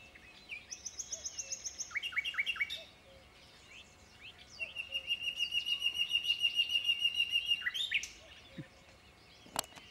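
A common nightingale sings two rich phrases: a rapid high piping run, then a long fast rattling trill ending in a sharp flourish.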